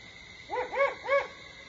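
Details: Pre-dawn Great horned owl calls, Starr Ranch, 4:30 AM, 21 September 2011: three arched hoots in quick succession, the first two closely linked and the last slightly apart, with a constant low hum behind.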